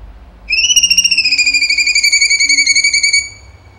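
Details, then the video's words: A cucak cungkok sings hard in 'tembakan' style, giving a rapidly pulsed, ringing whistle that starts slightly higher, sinks a little and holds steady for nearly three seconds. "CUNGKO GACOR TEMBAKAN HOT SUPER TEJEM"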